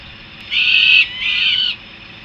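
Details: Young Peregrine falcon returning to the nest in Harrisburg, USA, uttering a single grating wail that falls away into a second, softer note.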